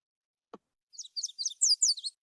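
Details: Yellow warbler song, an example of expanded pitch: a quick, bright series of about eight high, sweet notes that swing sharply up and down and grow louder toward the end; a brief click precedes it.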